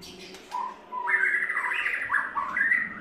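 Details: A white-rumped shama in third molt sings low, mellow fluty phrases that climb in steps and hold, with a warbling, slightly buzzy quality over a humming background.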